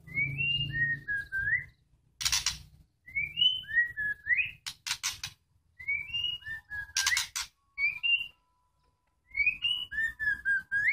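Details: Young white-rumped shamas being paired for mating: repeated short bursts of bright whistled notes, each phrase sliding up and down and ending in a rising slur, separated by loud rustling bursts and brief pauses over faint low rumble.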